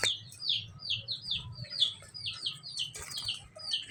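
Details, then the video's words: Lovebird chirping: a steady series of short, downslurred high chirps, roughly two each second, with fainter lower notes and a brief noisy burst near the end. "lovebird chirping sound"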